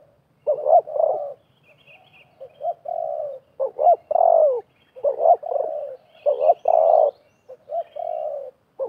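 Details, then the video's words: Spotted doves, a wild bird and a decoy used for trapping, coo back and forth in 2024: soft, hollow phrases of quick clipped notes ending in a longer falling coo, repeated steadily. "TERKUKUR LIAR DAN PIKAT BERADU/BERLAGA HEBAT"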